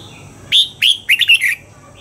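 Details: Red-whiskered bulbul during dawn song training, pushed for a wild double-note song: a high clear whistle, a second note, then a quick rolling group of bright slurred notes, loud over a quiet background.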